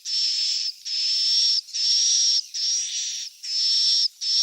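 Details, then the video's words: Swiftlet chicks calling, a sound used to lure swiftlets to roost: long buzzy high hisses with a thin steady whistle on top, each about 0.7 seconds, repeated evenly with short gaps. "SUARA WALET ANAKAN TERBARU"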